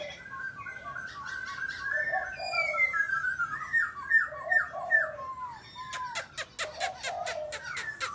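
A laughingthrush sings a rich run of varied whistled phrases, slurred up and down and delivered quickly, with sharp clicking sounds near the end.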